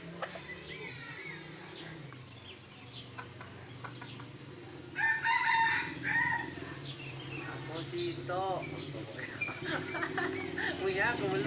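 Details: Red junglefowl from Sumatra, heard during traditional luring of young wild birds for capture. A harsh, harmonic crow rises loudly mid-clip, with scattered shorter calls before and after over a steady low hum.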